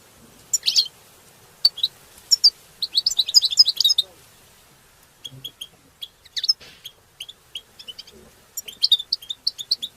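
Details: Several European goldfinches in a group chorus, song meant to stimulate other goldfinches and for mating; bright high twittering notes and short tinkling phrases in bursts, with pauses between clusters of chirps.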